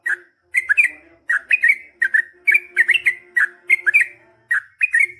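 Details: Yellow-vented bulbul in vigorous long 'ropel' chatter used to prompt other bulbuls to answer: short bubbly two- and three-note phrases, warbled and slightly rising, repeated about every half second with brief pauses.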